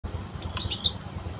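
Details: Wild cinereous tit, a recording meant as a lure for bird trapping: one short phrase of three or four high, sharp whistled notes over a steady high insect drone and low rumble.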